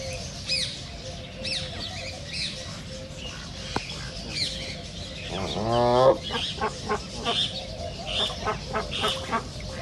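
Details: Duck giving a short burst of harsh, nasal, stacked quacks near the middle. Other birds chirp and twitter throughout amid steady background noise.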